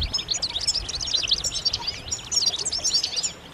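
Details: European goldfinch chorus of mating and readiness calls: an unbroken stream of bright, rapid high chirps and tinkling twitters, with a clean quiet background.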